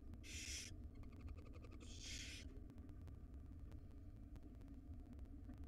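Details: Two loud hissing screeches in quick succession from wild barn owlets in a nest box as their mother delivers breakfast to the five young, followed by quieter hum and faint ticking.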